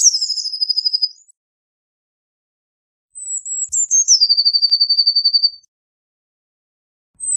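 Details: Blue tit song: high sliding notes leading into long, steady trills of rapidly repeated notes, two full phrases with the start of a third at the end, clean background.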